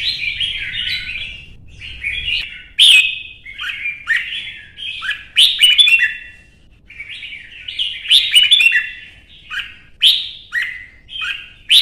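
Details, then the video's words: Caged Red-whiskered bulbul in Vietnam, stirred up for a heated singing duel: bursts of loud rich warbled whistles with sharp accented notes, phrases separated by brief pauses, almost no background noise. "CHÀO MÀO | Kích ché đấu hót căng lửa"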